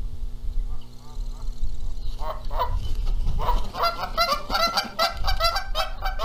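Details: At a Montana nest site in April 2022, Canada geese argue over incubating the eggs. After a quiet start the honks break out into a rapid, overlapping volley of harsh nasal calls that keeps going to the end.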